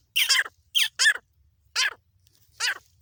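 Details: Female black francolin from Pakistan, hunting setting: four harsh, squawking notes with a falling, buzzy edge, spaced irregularly over three seconds against a quiet background.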